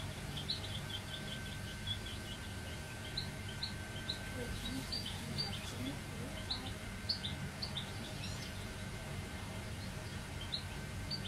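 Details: Goldfinch hybrid song: a long run of rapid, thin twittering notes and high chirps, fairly even in pace, with a constant low hum and faint tone underneath.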